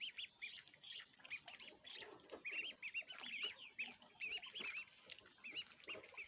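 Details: Cute baby ducks eating, with a constant chorus of high-pitched peeps, some in quick runs of three or four, over busy pecking and splashing.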